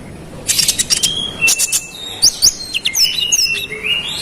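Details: Konin, the olive-backed sunbird, in energetic rolling song used to agitate other konin: bursts of very high buzzy chips, then rising and falling thin whistles and long level whistled tones, sung almost without pause.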